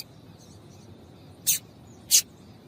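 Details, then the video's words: Female double-collared seedeater (papa-capim) call, used to stir males into singing: two very short, sharp, high chips about two-thirds of a second apart over a low steady background hiss. "Piado de Fêmea de Papa capim Pra Esquentar Papa capim"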